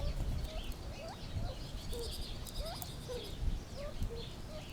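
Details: Gambel's quail making scattered short whistled calls, some sharply upswept and others level or falling, spaced about half a second apart against a constant background hiss.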